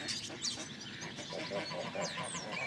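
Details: Flock of geese honking in short nasal bursts, several overlapping, as a walker passes them by a road near West Runton, Norfolk, on a grey misty March morning; steady wash of wind and outdoor noise. Finding: goose.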